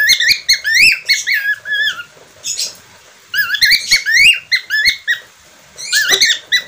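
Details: Parkit australia or falk, known in English as budgerigar, chattering in three bursts of rapid, rising chirps and whistles separated by brief quiet gaps.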